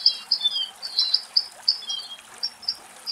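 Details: Western rock nuthatch in Greek forest near water where it bathes: quick, high whistled notes, some sliding downward, delivered in an uneven burst of about a dozen notes, with a faint soft background hiss.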